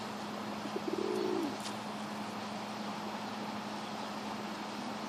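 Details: A pigeon chasing another gives a single low, throaty coo with a brief rise and fall, after a couple of soft clicks, over a steady background hum.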